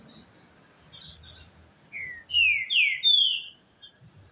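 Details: Caged male Green-winged Saltator (trinca-ferro) in a song duel with a rival, singing slower first notes while not yet agitated: high thin notes, then loud downslurred whistles around 2.5–3.5 seconds.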